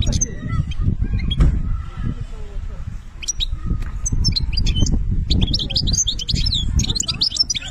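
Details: European goldfinch from Algeria, benna song style: a few thin notes and low voices at first, then lively high twittering and quick trilled phrases building through the second half, with background rumble.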